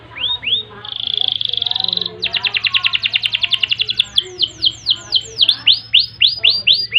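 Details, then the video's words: Long canary song meant for tutoring and provoking other birds: a steady buzzy trill, then a fast clicking roll speeding along, leading into a series of clear downward-sweeping whistles repeated about three times a second; faint low hum behind. "Kenari Gacor Panjang Ngerek Ngerol Nembak Mantap Buat Masteran dan Pancingan | Bird Singing"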